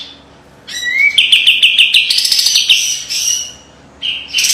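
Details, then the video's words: Kapas tembak white-eye in a sharp training master song: a rising whistled upslur leads into a rapid, even run of bright trilled notes that climbs slightly in pitch, then a short pause and a new burst. "SUARA KAPAS TEMBAK TAJAM DAN PEDAS‼️ SPESIALIS BESETAN RAPET PALING COCOK MASTERAN"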